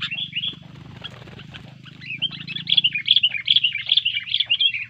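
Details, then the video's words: After being disturbed, a sooty-headed bulbul in fighting mood: a soft warble at first, then a fast, loud series of bright chirps and rolling whistled notes, over a low background hum. "Burung kutilang Gacor ketika di usik keluar Fighter Tarung nya"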